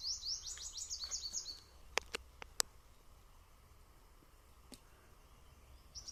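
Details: Small Purple Sunbird atop a tree in sal and pine forest on a 16 May trek gives a quick burst of thin, high twittering notes for nearly two seconds, then quiet amid sharp clicks and soft murmurs.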